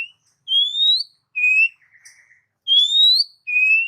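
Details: Oriental magpie-robin song for training pet birds: long, pure, slightly rising whistles alternating with lower steady whistles, with a soft buzzy note in the middle, clean and sweet.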